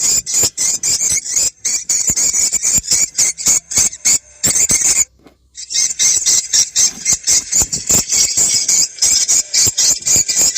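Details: Swiftlet calls for playback at a prospective site to attract the birds, best around dusk when the sky darkens. Dense high buzzy chirps pulse rapidly, nearly four a second, broken by one half-second pause midway.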